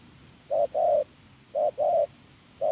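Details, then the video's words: Spotted dove, wild-caught from the fields, uttering a hoarse strong coo: five low hooting notes, a short note followed by a longer one, twice, then a single note. "Bổi đồng khàn cứng gù"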